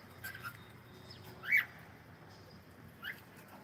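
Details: Single sharp, bright cockatiel chirp in the middle, flanked by faint, short squeaky notes before and after, over steady low background hiss.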